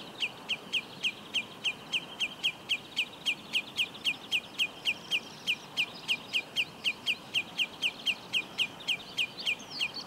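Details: Common redshank gives a long run of short, sharp piping notes, nearly four a second, steady and insistent over a faint background hiss; Úherce, Plzeň-North district, Czech Republic, 18 June 2017.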